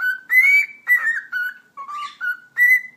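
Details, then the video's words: Domestic cockatiel performing a whistle show after practising its words: rapid bright whistled notes, some sliding downward, delivered in quick succession with brief gaps, indoors and without other noise. "Sultan Papağanı Konuşması - Eşek Sıpası Diyor"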